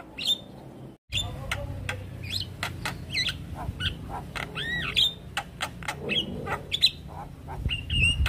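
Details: Javan myna suddenly stressed after hearing another Javan myna's call, full isian: sharp clicks interspersed with arching whistled notes and rising slurs, against low rumbling background.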